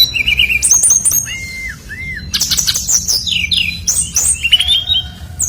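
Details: Brown-chested jungle flycatcher in full song, used as a lure to prompt other birds to sing: short bursts of high chirps, two clear arched whistles, then tumbling fast warbled phrases.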